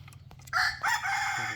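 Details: Decoy rooster, filmed 2023-2024, crowing: a loud, hoarse, broken crow begins after a brief quiet spell, with two strong bursts and then a sustained, slightly falling tail, over low background hum.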